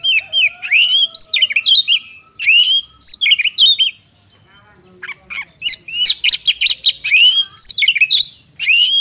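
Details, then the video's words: Oriental magpie-robin fighting song: fast bursts of whistled slurs, rising sweeps and harsh buzzy notes, a brief quiet gap, then an even denser rapid outpouring. "Kacer Tarung Ngobra Full Tembakan Cocok untuk Ngetes/ Nyoba Mental Kacer Lain"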